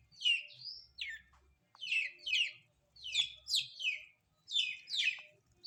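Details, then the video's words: Long-tailed shrike bathing in the morning, delivering paired, sharply descending, chattering notes in bursts separated by short pauses, over a faint low hum. "Burung Cendet"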